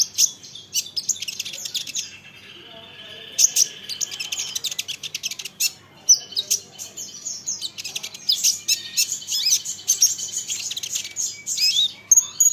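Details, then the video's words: High, busy olive-backed sunbird chatter, intended to draw answers from rival sunbirds: dense twittering and buzzy trills, dropping off briefly, then resuming with sharp clicks and rapid notes. "Isian Kolibri Ninja, Dengar ini konin lain pasti nyahut gacor doooorrrr"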